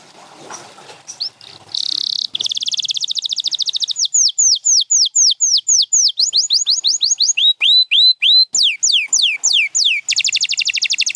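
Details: Champion canary singing in a set featuring Gloster and Spanish Timbrado birds: faint chips first, then a dense buzzy roll followed by long runs of rapid, high, downward-swept whistled notes and a closing fast trill.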